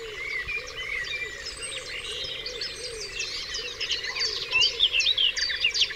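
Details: Dawn chorus of many birds on Dewlands Common: steady twittering and trilled phrases, with a louder bright whistled sequence rising near the end, above soft lower warbles and a faint buzz.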